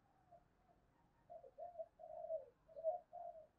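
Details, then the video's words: Spotted dove calling to stimulate other doves. A soft, distant run of low coos sits over a faint hum. The first notes are isolated, then come about five wavering coos in quick succession. "Tiếng chim cu gáy kích bổi nhanh nổi hiệu quả bổi nghe sung mãn gáy theo cả ngày thúc và gáy gọi"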